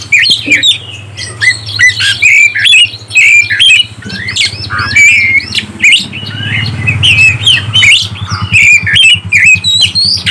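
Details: Kept oriental magpie-robin in full song to provoke other birds, pouring out twisting whistled phrases and harsh rasps almost without pause, over a low droning hum.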